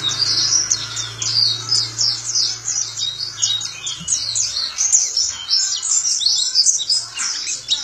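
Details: White-eye (Zosterops) in full song, the ngalas ngeroll style: a dense, unbroken rush of high, thin twittering notes and quick slurred trills, with a steady low hum in the background.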